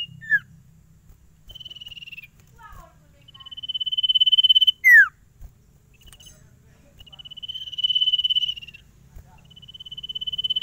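Common Iora singing long, even, trilled whistles of one to two seconds on a high pitch, broken by quick sweeping chip notes; a low hum runs underneath.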